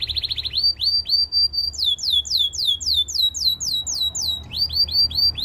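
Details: Belgian singing canary used to coach other canaries: a rapid trill giving way to long runs of sweeping, falling whistled notes about four per second, with a faint low hum.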